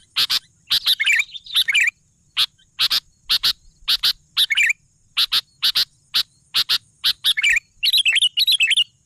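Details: Sooty-headed bulbul in full, lively song. Dense runs of crisp, high chips mix with rolling, warbled phrases that grow busier near the end.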